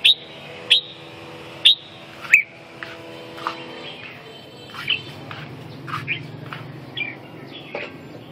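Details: Red-whiskered bulbul: short, sharp whistled chirps near the top of the range, widely spaced and irregular, some single and some paired, over a steady low hum.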